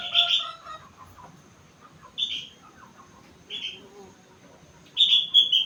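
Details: Sooty-headed bulbul, four months old, singing with rengganis and cucak wilis fills: loud rich whistled phrases at the start and end, with single clear notes in between and soft lower warbles.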